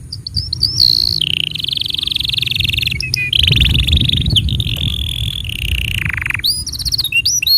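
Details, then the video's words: Tutor song for young and silent canaries: long continuous canary rolls, a steady trill held for seconds and stepping between pitches, one tour sliding downward, ending in bright rising whistled notes, over a low rumbling background. "Masteran Untuk Kenari Paud Dan Pancingan Kenari Macet Bunyi"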